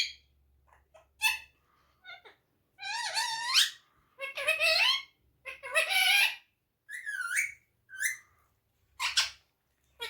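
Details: Parrot mimicking human speech in Urdu/Hindi, uttering phrase-like bursts of wavering, formant-rich syllables roughly every second, interspersed with short clicks and squeaky notes; faint low room hum beneath.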